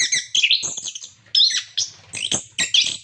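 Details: Orange-headed thrush singing loudly, used to prompt captive birds: continuous tumbling stream of bright whistles, chirps and scratchy notes, with a faint low hum in the background.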